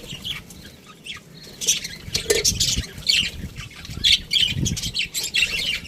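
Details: Budgies in an aviary give overlapping squawks and chirps, a rapid scratchy chatter that builds after a quieter start, with low background rumble.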